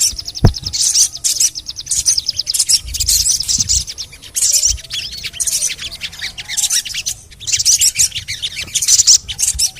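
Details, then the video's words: Sharp high chirps and fast buzzing trills from a crimson sunbird (sogon), in playback used to coax other sogon to call. The bursts arrive in clusters, with a brief click near the start. "TERAPI SOGON MALAS BUNYI❗PAKE AUDIO INI DIJAMIN BURUNG SOGON MANAPUN PASTI IKUT BUNYI GACOR NGLEPER"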